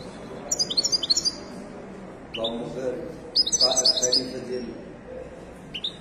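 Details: Moroccan wedani goldfinch at the Souk al-Qriaa bird market, Casablanca. Two bursts of rapid, high, glittering twitters are separated by a man talking, and a few thin upslurred notes follow. General market noise continues throughout.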